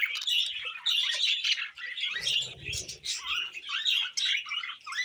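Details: Budgies kept as pets chirping and warbling in quick rising and falling squeaky notes, with a soft low rustle midway.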